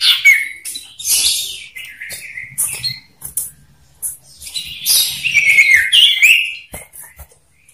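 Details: Two male common ioras in a loud song duel meant to lure other ioras: dense, harsh, buzzy high chatter with a few quick whistled sweeps, rising and falling, in irregular bursts.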